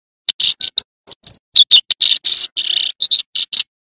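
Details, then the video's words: Tree sparrow giving a steady run of loud, clipped chirps, some slightly buzzy and drawn out, spaced irregularly a fraction of a second apart, with no other sounds. "tiếng chim sẻ đồng"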